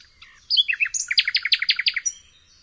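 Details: Common nightingale (Luscinia megarhynchos), song.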